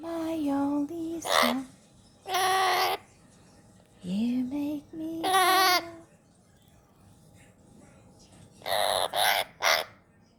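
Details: A pet Hahn's macaw (red-shouldered macaw) goes from sharp pops and harsh squawks to singing phrases of 'You are my sunshine', with its owner's voice joining in.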